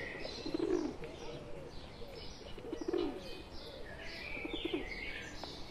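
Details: {'text': 'Pet pigeon that has joined a group of wild pigeons, giving low soft coos in three bursts about two seconds apart, with higher chirps from other birds and faint voices in the background.'}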